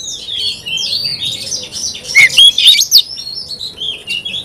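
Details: Oriental magpie-robin in full song: high thin whistles sliding up and down, a louder burst of sharp chattering notes in the middle, then more drawn-out whistles.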